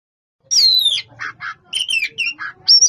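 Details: Oriental magpie-robin, described as a champion singer with a dense song: loud sweeping whistles that fall from high to mid pitch, then a rapid run of short harsh chattering notes and bright upslurred whistles, packed closely together with brief gaps.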